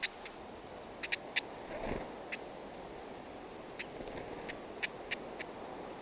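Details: Black-headed stonechat, one of a pair feeding chicks at a nest in dense grass in the wild: sharp clicking tak notes, singly and in quick pairs, scattered through the clip, with two brief high whistled notes and a soft hiss of background noise.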